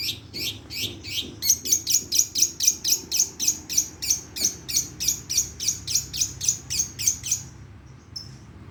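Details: Long-tailed shrike from Madura used as master song to train and lure other birds, packed with mimicry including sparrow and lovebird: a fast rolling series of sharp high chirps, about four per second, ending in a short pause.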